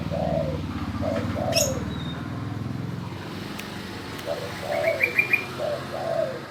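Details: Spotted dove that calls when told, low soft coos in two short bursts over a constant mechanical rumble, with a few high chirps from another bird.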